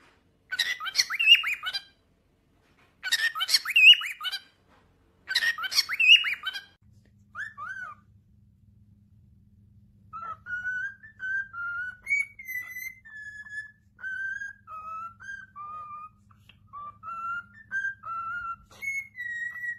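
A cockatiel gives three harsh, grating squawks, then a run of clear whistled notes rising and falling in pitch.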